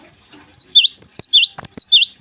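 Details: A Java sparrow sings in the morning: crisp, high, hook-shaped notes repeated about every fifth of a second, with light tapping and clicking noises between them.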